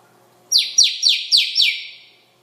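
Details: Pet parrot making noises: five quick descending chirps in a row, each sliding sharply downward, with faint room sounds and a woman's voice nearby.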